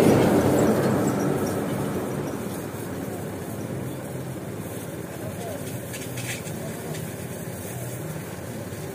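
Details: A voice talks over the rumble and clatter of a passing train or vehicle, and no animal calls can be picked out.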